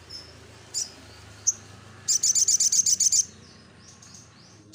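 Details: Little spiderhunter in lively gacor singing, used as a lure to draw a response: a few isolated high chirps, then a fast run of about ten sharp, very high notes, over a faint low hum.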